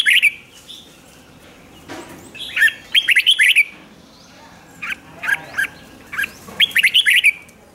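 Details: Red-whiskered bulbul rik-style song for exciting caged birds: repeated bursts of rapid, bouncy notes, an opening phrase, a busy middle run, scattered single chirps, then a final rolling phrase.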